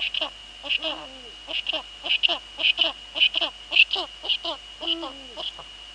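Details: Evening at a Eurasian eagle-owl nest in the Netherlands, 19:15 on 2 February 2013, female nesting and male nearby: a run of rapid, falling, harmonic call notes, with two drawn-out bending hoots woven in, and a steady high tone behind.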